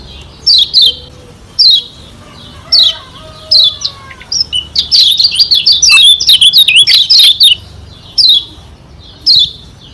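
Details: Lombok white-eye song used to provoke rivals: evenly spaced high downward chirps, then a loud rapid twittering burst, then spaced chirps again, with faint lower whistles early on.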